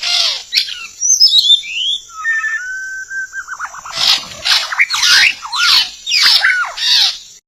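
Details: White-rumped shama lure for trapping: sweeping whistles and a low wavering trill, then a run of loud repeated sharp phrases, each a rapid up-down sweep, roughly every half second, over a constant high hiss.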